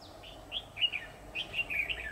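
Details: Red-whiskered bulbul, a decoy bird in a trapping setup, recorded 10 October 2019, singing in competition: a lively run of short warbled, slurred notes rising and falling, in two quick bursts over steady low background hum.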